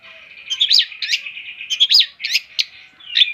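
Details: Long-tailed shrike song of scratchy, squeaky paired notes in short bursts with brief gaps, over a continuous thin high-pitched background hum.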